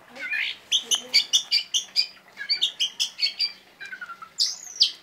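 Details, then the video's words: Oriental magpie-robin singing a quick run of bright, clipped chips, repeated about two to three times a second, in sharp 'tembakan' style. A descending whistled slide and a high arched whistle end the phrase. "kacer gacor tembakannya pedas"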